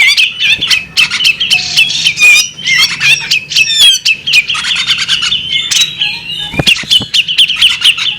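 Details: Dense, energetic song from a female bearded magpie robin, with overlapping chirps, rich whistles and raspy notes poured out without pause, plus a sharp click near the end.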